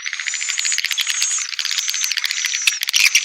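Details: Swiftlet calling recording: a dense, continuous stream of rapid high-pitched chirps and twitters, pulsed into quick buzzy trills that run without a break for the whole stretch.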